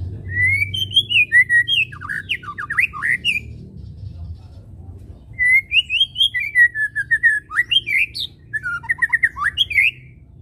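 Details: White-rumped shama song used as a lure for birds: three bursts of varied whistled and warbling phrases with sharp slurs, separated by pauses, over a low background hum.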